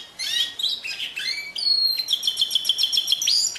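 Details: Varied canary phrase of quick chirps and slurred notes, then a steady pure whistle broken into fast pulses, repeated rhythmically and ending in a rising note.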